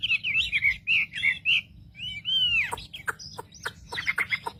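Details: Wambi singing as a provoking lure for other wambi birds, a varied stream of warbled whistles and slurred notes, one long arching downslurred whistle, then quick sharp clicks and high chips over a low hum.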